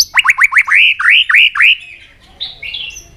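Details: Provoked White-rumped shama in fighting song: a rapid series of about nine looping, rising whistled notes, then softer high warbles fading out.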